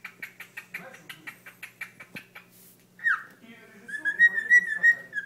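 A cockatiel sings a quick run of repeated chirps, then a long, wavering whistle.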